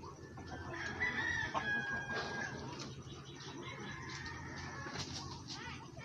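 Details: Mixed flock of Rhode Island Red, Black Australorp and Brahma chickens, described as happy-go-lucky; loud, drawn-out harmonic calls early on, then overlapping clucks and rising squawks against constant low background noise.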